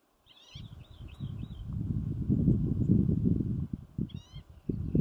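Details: Green-tailed towhee calling, one of several in a draw past a gate on Steens Mountain Loop: a high wavering mew-like call, then a short burst of rising notes later, over heavy low rumbling noise.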